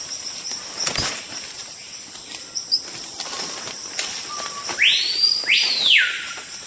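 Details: A screaming piha, said to sound off when a person or large animal enters its forest territory: a knock and faint clicks, a short low whistle, then two loud whistles swooping up and down above constant high insect hum.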